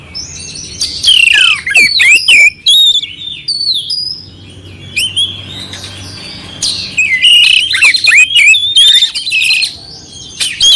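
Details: Oriental magpie-robin in clear song with coarse fill-in notes, played to raise the mood of another magpie-robin: bursts of sweet whistles, twisting slurs and scratchy chips, a quiet gap, then a rapid renewed outpouring.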